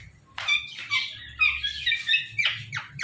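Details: A pet male ringneck (rose-ringed) parakeet, watching himself in a phone, chatters in rapid, harsh, high-pitched bursts, imitating meows and saying words like "Mittu Mittu" in a quick string of squawky syllables.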